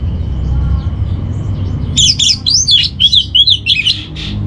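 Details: Orange-headed thrush master song played to keep a home bird's mood and breeding drive steady: after two quiet seconds over low hum, a quick run of high, bouncing whistled and warbled notes in rapid succession.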